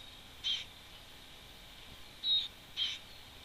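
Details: Wood warbler at the nest, filmed by webcam on 11 June 2011: three short, clear piping notes, one early and two close together near the end, over a steady faint background hiss.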